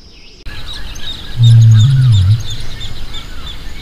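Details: Greater rhea giving a single deep, low booming call of about one second, steady and then dipping slightly at the end, while small birds chirp faintly and high in the background.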